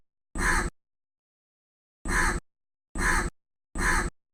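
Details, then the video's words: Crow calling live from a tree: one harsh caw, a pause of over a second, then three more rasping caws in a quicker, evenly spaced run. "crow call live from the tree"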